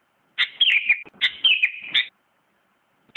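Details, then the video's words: Sooty-headed bulbul, a first-place winner of a 2017 bird contest, gives two bubbly whistled phrases that slide down from high to mid pitch, followed by a pause and the start of a third phrase. "Kicau Burung Kutilang Mantap Banget juara 1 kontes 2017"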